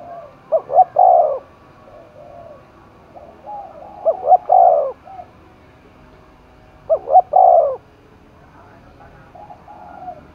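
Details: Spotted dove roused to coo competitively, Dong Nai, Vietnam: three loud phrases of two quick notes and a long falling coo, with quieter coos from another bird between them.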